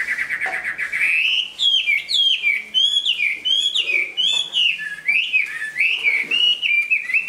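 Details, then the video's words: Chinese hwamei, a big bird that sings and fights well, completing its new plumage; a rapid trill opens into a loud, unbroken stream of looping, whistled phrases that swoop up and down. "Họa mi bộ to hót tốt"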